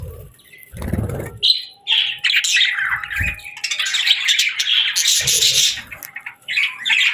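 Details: Parakeets chirping in summer, a mix of warbled chatter, short whistled notes and harsh squawks, broken by several low thuds and a faint steady tone.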